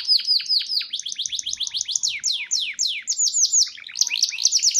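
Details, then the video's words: Canary singing in a collection in Petarukan, Pemalang, Central Java: a fast, continuous run of high, sweeping chirps and rapid trills, each note sliding downward, with a brief pause before a brighter burst of repeated notes near the end. "Cendana wangi | Kenari"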